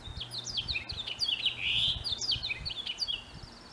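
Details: Male house finch during spring mating season sings a continuous, bubbly warble of high chirps and downslurred whistles, with a brief buzzy note in the middle, over faint low background noise.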